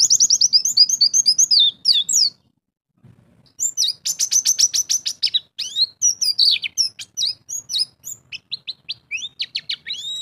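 A white-eye sings a fast, high, thin twittering song of varied chirps and trills in quick bursts, with one short pause near the start.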